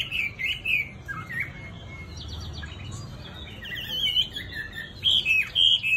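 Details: Tamed hwamei with a soft, sweet singing voice gives bright, looping whistles. Quieter chattering follows, then the bird returns to loud, high whistled phrases.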